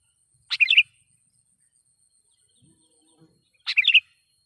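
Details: Sooty-headed bulbul lure song for provoking wild bulbuls, two quick bubbly fluttering phrases around three seconds apart with faint low sounds between.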